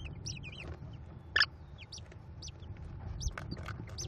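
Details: American kestrel nestlings, five chicks, at a Cornell nest while the female feeds them, May 2021: sparse high chirps and squeaks with one short loud harsh burst in the middle, over faint rumble.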